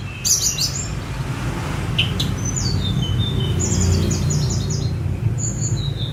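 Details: Sunda robin (tledekan gunung), a spotted bird let out free, recorded on a phone for song mastering; high thin whistles and short descending note runs over a steady low rumble of background noise.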